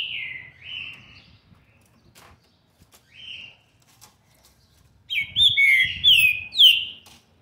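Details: Young green-winged saltator, seven months and twenty days old, recorded 13 November 2020, gives a few soft, drawn-out whistles with pauses, then a loud, rapid phrase of descending, sweeping whistled notes.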